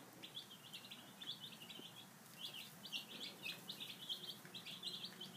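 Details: Five-day-old domestic chicks at breakfast time, giving a steady stream of short, high peeps in overlapping bursts from several birds, with faint rustling and pecking beneath.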